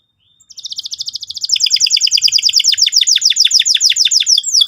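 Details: Canary in full song, played to draw another bird into singing. A brief thin note leads into a rapid buzzy trill that grows louder, then shifts to quick downward-slurred notes repeated about three times a second.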